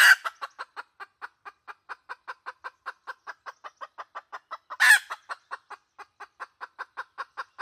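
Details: Steady, rapid clucking from a red junglefowl decoy hen, used to call in wild birds. The clucks repeat about four to five per second throughout, with loud rasping bursts at the start and about two-thirds through.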